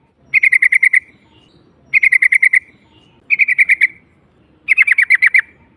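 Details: Yellow-vented bulbul 'ngalas' call, said to make silent bulbuls sing: four regular bursts of about seven clipped, buzzy chatter notes each, repeated roughly every 1.4 seconds against a quiet low background.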